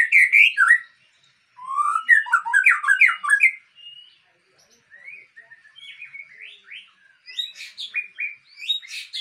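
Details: White-rumped shama, Aceh variety, from superior breeding stock: bursts of bright, jumbled whistles and chatter separated by short pauses, then quieter, clipped phrases building to sharper, higher notes.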